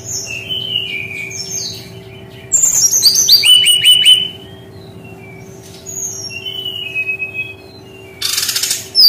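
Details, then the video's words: Brown-chested jungle flycatcher singing in a distinctive style: scattered high whistles, a loud phrase of fast twittering dropping in pitch, quieter slurred notes later, and a brief harsh noise burst near the end; faint hum throughout. "SUARA UNIK GAYA TEMBAKAN BERKICAU BURUNG SRDC"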